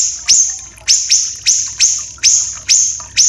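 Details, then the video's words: Song of a Common iora on a tutor track for captive birds, with a water-trickle effect added. Seven piercing notes in just over three seconds, each a rapid upward sweep that flattens into a long, coarse, very high buzz. "MASTERAN SIRI-SIRI KECIL"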